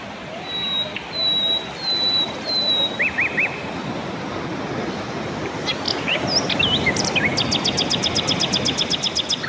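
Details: Mugimaki flycatcher singing: a few thin high whistled notes and short rising phrases, then a fast run of high ticking pulses repeated steadily over the last seconds, with a faint steady background hiss.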